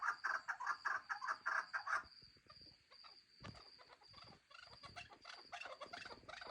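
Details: Chukar partridge chicks give a burst of bright, rapid chirping clucks for about two seconds. The calling then drops to quieter, scattered chatter with a steady high tone and some low knocks.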